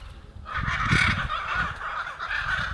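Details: A flock of hyacinth macaws filling a tree at Jaguar Camp, Pantanal, Brazil, on 5 July 2019 gives harsh, grating squawks that run together with little pause, over a low rumble of wind.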